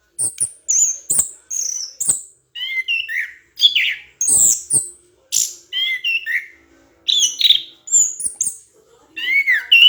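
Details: Training song for other birds from a vigorously singing orange-headed thrush: a rapid, continuous run of high thin whistles alternating with lower warbled phrases, with scarcely any pause between notes.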